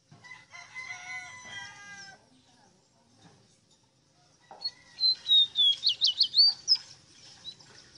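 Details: Ruddy-breasted seedeater (Sporophila minuta) song: a bright, rapid, high warbled trill of rising and falling notes in the second half, preceded by a lower, drawn-out harmonic crowing like a rooster's.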